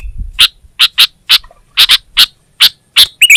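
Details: Kutilang (Sooty-headed bulbul), Indonesia, giving clean, sharp chirps singly and in quick doubles at irregular intervals, closing with a short fluty warble. Background otherwise quiet.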